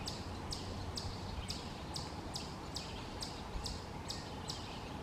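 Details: Hairy Woodpecker nestling in a tree cavity, fed by an adult male and female, filmed from far away on 28 May 2023 near West Hickory, Forest County, Pennsylvania, giving sharp, high, downslurred chips about twice a second, steady and insistent, over low background rumble.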